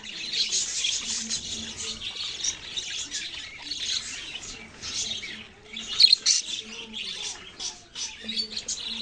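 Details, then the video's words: Long run of dense budgerigar chatter, scratchy warbling in rolling bursts with brief pauses, and a louder peak of sharp chirps past the middle. "parrot sounds and chirping sounds"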